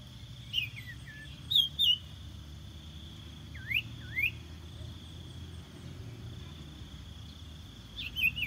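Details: Decoy song of a common iora for luring birds: scattered sharp whistled notes and two rising upslurred whistles near the middle, separated by long gaps, with a constant high drone behind.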